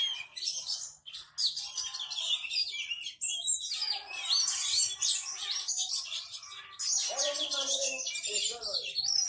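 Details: Caged white-rumped shama singing calmly on a training perch, pouring out its varied repertoire: continuous high, rapidly changing whistles and chattering notes with brief breaks, plus lower warbled phrases near the end.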